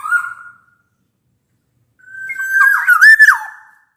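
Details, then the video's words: Black-naped oriole whistling as a lure for silent orioles: a brief level whistle, a two-second silence, then a longer bamboo-flute-like phrase building to loud, wavering slurred notes and dropping at the end. "Suara kepodang gacor ini bisa di jadikan pancingan kepodang malas bunyi"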